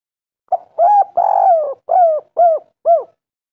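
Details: Clear, steady spotted dove coo phrase, meant to call females and lure other doves: a brief opening note, a soft coo, one long sliding coo, and three shorter rounded coos at even intervals. Nothing else heard.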